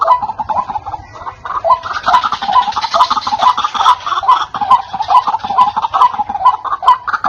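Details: White-breasted waterhen lure call, loud and clear, used to attract wild waterhens: steady run of harsh, croaking 'kruak' notes, roughly two each second, with a hissing wash of noise through the middle section.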